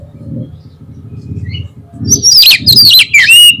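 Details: Oriental magpie-robin song meant to draw a quick reply from a rival bird: a low rumbling background, then loud, varied whistled phrases with sweeping slurs and rapid high trills in the second half.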